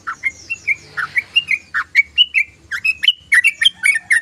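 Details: Sooty-headed bulbul (trucukan) chattering song, ngoceh and ngeriwik style: a brisk run of short bright notes that dip then lift, repeated about every quarter second, some clearer whistled upslurs, faint low hum beneath.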